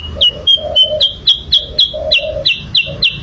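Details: Sooty-headed bulbul lure song: a quick series of bright chirps, about four a second, each with a sharp high click and a short downslurred note, above a thin lower chattering layer.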